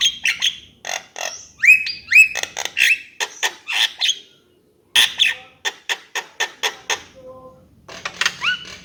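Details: Javan myna: bursts of harsh chatter and rising whistled slurs, a brief silent pause, then a quick string of dry clicks and a short, low hum-like tone before more rising whistles.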